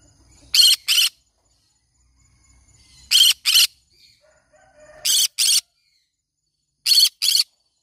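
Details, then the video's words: Pet green-cheeked conure repeating paired harsh screeches, four double bursts spaced roughly two seconds apart, each pair loud and grating, with near silence between. "green cheek conure parrot sounds"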